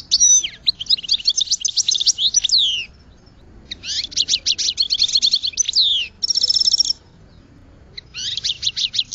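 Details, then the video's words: Goldfinch in full song: long runs of rapid, liquid twittering notes broken by short pauses, with a clear buzzy trill near the end of the second phrase, against a quiet background. "Goldfinch Song to Educate Newcomers to Their Call"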